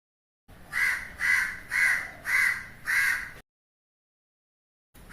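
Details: Crow giving five loud, harsh caws in a steady series, each about half a second long and spaced evenly, followed by silence and the start of another call at the end.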